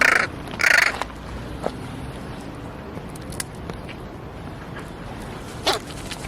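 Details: Young crow producing strange calls: two short harsh caws at the start, then mostly quiet rural background with scattered clicks and one brief sharp note near the end.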